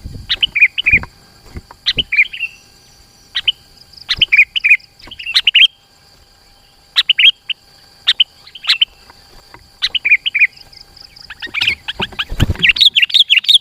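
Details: Kutilang, or sooty-headed bulbul, singing a tight lure song meant to make rivals approach; scattered short fluty phrases with pauses, rising at the end into a rapid, agitated burst of chatter.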